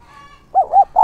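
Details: Decoy spotted dove calling to lure wild doves: two soft rounded coos followed by the start of a third, low and hollow, after a brief thin tone.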